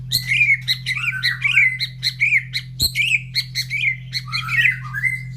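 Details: Caged white-rumped shama, fed in the morning and carried near breeding cages of other birds, which all answer noisily; dense run of bright whistled and slurred notes, many short phrases in quick succession, over a steady low electrical hum.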